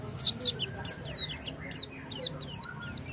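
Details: Oriental white-eye song, used to coax a silent white-eye into singing: high, thin, sweeping twitters that fall in pitch, given in a quick irregular series, with a low background hum.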